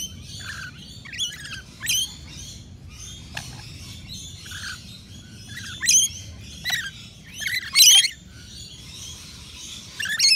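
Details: Rainbow lorikeets crowd a balcony nectar feeder in Australia, giving loud piercing screeches and squeals, several sharp bursts with the strongest near the end, interspersed with softer twittering chatter.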